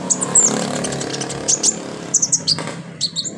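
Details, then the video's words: Olive-backed sunbird in energetic full song, used as therapy to spur other birds to sing: short, very high, sharp chirps and thin slurred whistles in scattered bursts over a steady low background hum. "NGETREN TERAPI KONIN GACOR 2023 full roll rapat tembakan pedas"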